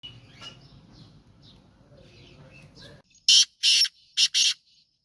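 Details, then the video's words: Black francolin, kala teetar, of the Sindhi nasal voice style, sheedi chotla nasal: after a quiet stretch of faint background noise, four loud harsh grating notes burst out in a quick uneven rhythm. "Black Franclion Voice Sheedi Chotla Nasal Kala Teetar ki Awaz"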